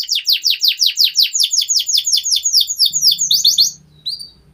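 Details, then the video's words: Canary singing a long master song used to coax young birds into song. Rapid, evenly repeated downward-swept chirps, loud and high-pitched, end in a brief pause with a faint low hum. "MASTERAN Burung KENARI Gacor Panjang"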